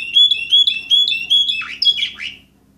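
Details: Loud, rapid repeated whistled notes from an Orpheus breed canary, bird number 24 of 2014, ending in a few descending swooping notes.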